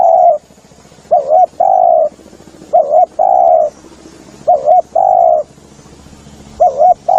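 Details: Lure recording of a spotted dove giving steady paired notes, a wavering double coo then a sustained mellow coo, repeated about every one and a half seconds, with faint background hum and hiss.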